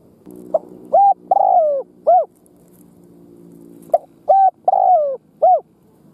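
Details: Lure spotted dove cooing to excite wild doves: two phrases of a short note, level coo, long drawn falling coo and a closing arched coo, with a faint low hum between.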